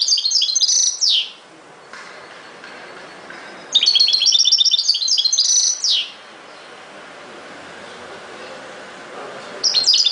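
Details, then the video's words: Fast jingling twitters from a European goldfinch come in three phrases, each a rapid run of high bright notes ending in a downward slur, with quiet gaps between them. "غناء جميل لطائر الحسون chante du chardonneret"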